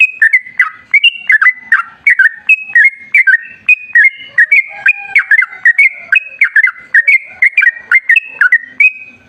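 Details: Wild sooty-headed bulbul in long, rapid song used as a lure to set other bulbuls singing: a quick chain of bright whistled notes, each snapping down then leveling, almost without pause, with a faint lower tone midway.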